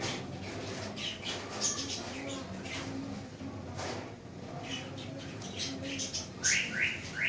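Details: Pet budgerigars in Lahore chatter in a busy flock: quick, scratchy chirps and short rising whistles, several each second, over a low, steady background hum.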